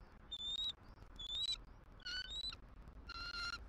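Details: Southwest Florida bald eagle female at her nest, 6 November 2023, calling to her mate for a shift change, captured by a live nest camera. Thin, slightly rising whistled notes come in quick succession, then harsher chittering squeals.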